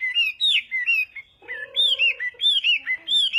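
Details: Chinese hwamei singing in a contest for morning voice training, with evenly repeated arched whistled notes, briefly joined midway by a lower steady tonal hum, before the whistled series resumes.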